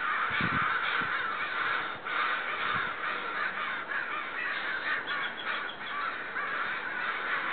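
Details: Agitated neighbourhood crows keep up a loud, sustained cawing near a house's back deck; many rough, overlapping caws pile up with brief dips, plus a few low thumps early on.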